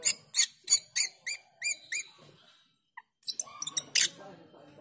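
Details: Black-winged myna calling to train cucak keling: a quick series of about eight bright, ringing notes, then a brief gap before harsh, scratchy chatter with high squeaks.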